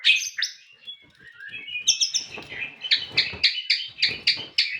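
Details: White-rumped shama giving high, sharp chirping phrases that end in a series of loud repeated notes about every quarter second, with some faint background rustling.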